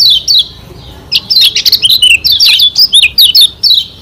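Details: Caged Lombok white-eye song meant to provoke rivals: quick high whistled and twittering notes, a short falling phrase, a pause, then almost continuous lively chirps and slurred whistles running to the end.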